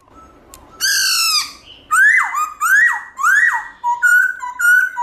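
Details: Loud, many-voiced wild song of a black-throated laughingthrush. A long harsh rich note is followed by three upslurred whistles that break off abruptly, then short clear level whistles.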